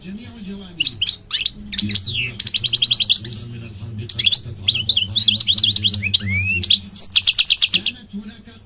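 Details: Goldfinch in full song: fast twitters, downward-sweeping whistles and several dry, buzzy trills of rapidly repeated notes, with a faint low hum behind.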